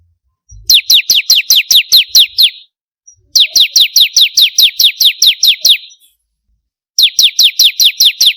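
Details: Bar-winged prinia song played as a lure to get captive birds singing: bursts of about ten rapid, sharp downslurred high notes in quick even series, separated by short pauses.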